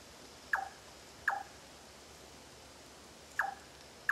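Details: Repeated 'chionk' calls of a large-tailed nightjar, Singapore, 9 March 2014: hard, wooden, downward-snapping knocks, three evenly spaced then a pause before a fourth, over a faint hissing backdrop.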